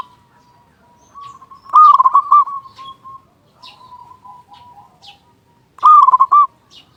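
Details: Local zebra dove with a big voice, singing actively, used as a lure to prompt other zebra doves to sing: two loud stuttering cooing phrases with softer, lower coos from more doves between them.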